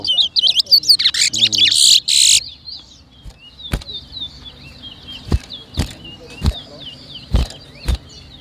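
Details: Towa towa seed finch whistling at a 2023 competition in Berbice, Guyana: loud rapid warbled whistles and a man speaking at first, then softer repeated high slurred whistles punctuated by sharp knocks.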